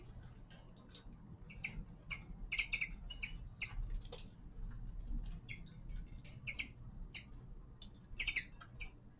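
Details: Steady twittering from a young male common linnet in winter, short bright notes strung in quick groups with brief gaps, moderately quiet over a persistent low hum and light background noise.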